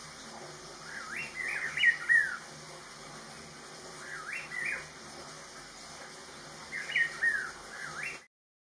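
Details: Rufous-throated partridge calling at Inthanon: clear rising whistled notes given in short bunches of two or three, each group separated by a few seconds, over a steady background hiss.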